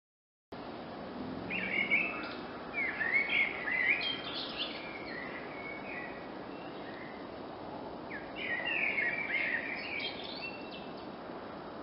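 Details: Eurasian blackbird singing in a forest in June 2016: two warbling, twittering phrases a few seconds apart, separated by a quiet gap, over steady broad background hiss.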